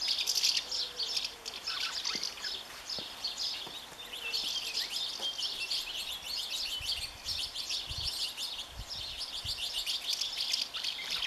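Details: Common house martin keeping hold of its nest, even against its partner, 20 May 2015; a continuous high chattering twitter of rapid chirps and rattles, with a few soft low knocks partway through.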